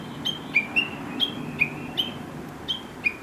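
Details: Chinese hwamei in the countryside, known for morning chatter that sounds like talking; spaced clear whistled notes, alternating higher and lower, roughly two to three per second, over a low background rumble.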